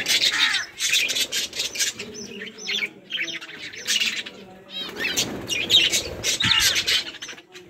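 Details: Budgerigars in a group chirping and playing, 24 July 2023: loud phrases of rapid warbling and chattering from several birds in two main bursts, with wing flutters and rustling between them.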